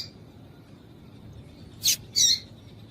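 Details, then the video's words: Female yellow-bellied seedeater piping to excite males for singing tournaments; after a quiet stretch, two quick high, harsh chips close together, the second a little longer. "Piado de Fêmea de Papa capim Para Esquentar Papa capim"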